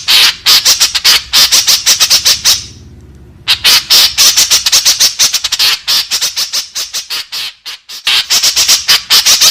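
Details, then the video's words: Lure call of a white-breasted woodswallow, played to draw in others of its kind: rapid runs of grating, scratchy notes, briefly broken by one gap of about a second before the harsh series resumes. "Suara Burung Kekep Babi Masteran Gacor"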